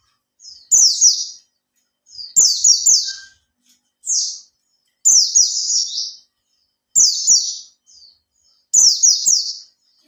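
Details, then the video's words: Oriental white-eye (pleci) kept in a cage for three months and learning 'buka ekor' delivers a lure song: crisp high chirped trills in roughly one-second phrases, repeated every couple of seconds, with faint clicks. "Suara Pancingan burung pleci dijamin langsung ikut gacor"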